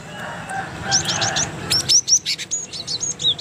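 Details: Indonesian cinereous tit in a training-model recording: a short, rapid string of thin high whistled slurs and ticks, rising from a hissy background.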